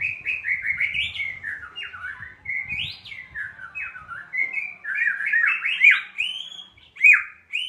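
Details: White-rumped shama song meant to provoke a caged shama into singing: a rich, fast run of varied whistled phrases, slurred up and down, with sharp rising notes and brief chattering bits, continuous throughout; faint low thumps underneath.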